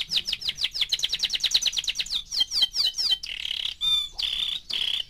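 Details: Young canary, four months old, in song: a quick series of rhythmic chirped notes, about five per second, sliding into rolling trills and sustained whistled tones.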